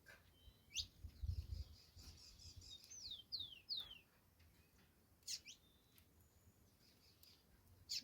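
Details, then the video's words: Saffron finch singing: scattered sharp high chirps, then a run of three quick downslurred whistled notes near the middle, with further isolated bright chips later over a low rumbling background. "Canário da terra cantando"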